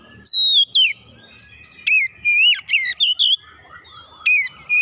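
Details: Oriental magpie-robin stimulated into song, producing long sliding whistles and twisting warbled notes separated by brief silences.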